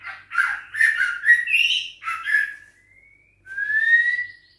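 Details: Young White-rumped shama, six weeks old, of Bahorok lineage, caged and singing against a rival. A chattering, warbling burst of mixed harsh and whistled notes is followed by two long, smooth, rising whistles.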